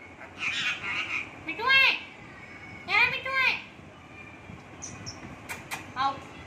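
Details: An Indian ringneck parrot, a pet, sits on its owner's hand and talks to them: a few drawn-out, speech-like phrases with wavering tones and pauses, plus faint clicks and high squeaks.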